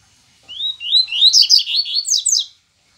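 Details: Yellow-bellied seedeater song: three upslurred whistles lead into a fast series of sharp, high twittering notes over about two seconds, with a quiet background.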